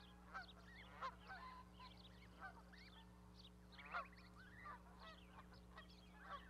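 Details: Goose with goslings on an osprey nest platform at Charlo, Montana, 12 May 2020, the mother sitting. Short upslurred honking calls come singly and in pairs about every second or two over a constant low electrical hum.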